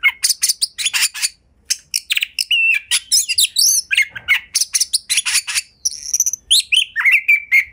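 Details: Oriental magpie-robin (kacer) in full gacor song, used as a pancingan to prompt other magpie-robins to sing and show off their repertoire: a dense, fast run of varied high whistles, chirps and rattling notes with barely a pause.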